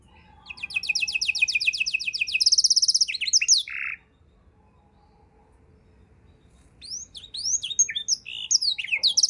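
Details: Canary singing a rich varied tutor song for training other songbirds: buzzy high repeated trills, then a low rolled note, about three seconds of silence, then resumed fast chirps and sweeping whistles.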